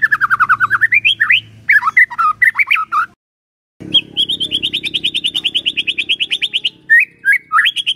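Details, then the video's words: White-rumped shama, a captive songbird, singing a long varied song: descending trilled notes and twisting whistles, a short pause, then a fast even rattle of repeated notes over low hum, ending in rising whistles. "sekali coba langsung nyaut dan gacor luar biasa✅ MURAI BATU GACOR✅✅"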